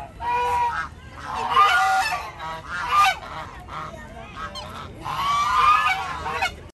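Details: Flock of geese wandering around a park, calling with loud nasal honks in clustered bursts, several birds overlapping, with brief quieter gaps between.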